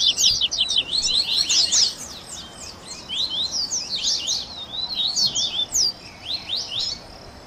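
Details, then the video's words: Double-collared seedeater song for warming up a captive singer: jumbled high twitters and slurred whistles, louder at first, then spaced bright notes with short gaps toward the end. "Baderninha de Coleiro Top FAÇA SEU COLEIRO CANTAR em 30 Minutos - Esquenta de Coleirinho!"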